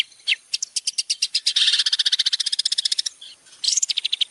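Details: Training song from a champion Long-tailed shrike: a high rising note, then fast, ringing repeated notes that thicken into a dense rattling stretch, a short gap, and another quick burst of high notes.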